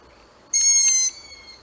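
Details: One strained, hissing screech of a barn owl, roughly half a second long and level in tone, followed by silence.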